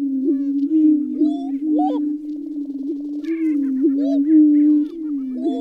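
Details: Great steppe grouse: a steady deep droning hum throughout, broken by short rising whoops and soft squeaky notes.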